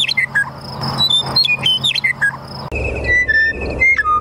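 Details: A meadowlark, western or eastern uncertain, in extreme northwestern Kansas west of Goodland, sings clear, high, slurred whistles sliding downward in quick phrases, with a brief break midway and a low steady hum behind.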